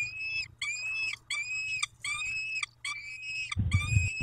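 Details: Peregrine falcons calling during a feeding on 19 May 2021 at 11:48: harsh, harmonic wailing calls about half a second long, repeated in quick succession with short gaps; thumping sounds near the end.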